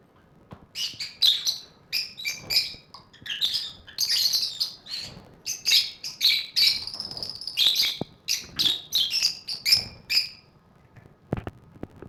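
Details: Several caged lovebirds playing and chattering: a dense mix of shrill chirps, squeaks and buzzy high notes in rapid bursts for about ten seconds, then a few scattered sharp clicks.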